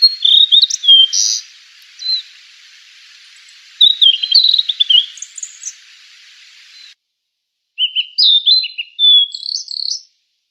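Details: Fork-tailed sunbird (sulingan or tledekan) in a lure recording: busy, high, tumbling phrases of squeaky whistles and quick chirps, broken by a brief silent cut partway through.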